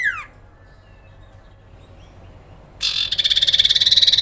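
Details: Sooty-headed bulbul in grincingan style, used to stir other birds into answering: a quick falling note, a pause, then a fast buzzy pulsed trill that rises slightly in pitch.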